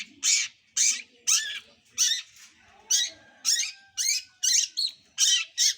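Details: Long-tailed shrike youngster practising its song: loud, harsh rasping notes, each a broad scratchy burst, repeated about twice per second, with a faint thin whistle in the background.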